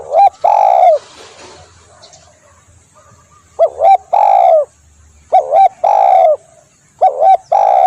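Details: Spotted dove, known locally as tekukur, in a recording meant for luring birds: loud phrases of a short doubled coo followed by a longer, slightly falling coo, repeated several times with brief pauses and faint background noise.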